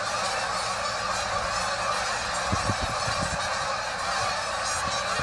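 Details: Many geese calling together, seen on a walk: unbroken clamour of overlapping honks, with scattered low knocks and bumps in the middle of the recording.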